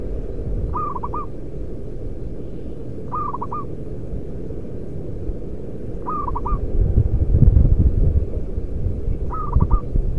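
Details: A local zebra dove, a loud-voiced lure bird, repeats a short, soft burst of mellow, rolling coos about every three seconds over a steady low rumble.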